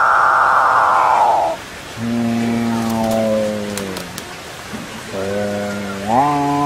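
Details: Capuchinbirds, excited and mooing at each other and at the recordist. The tail of a loud moo fades, then two deep, growling harmonic drones follow, each sliding downward, the second lifting abruptly near the end. Faint clicks sound in between.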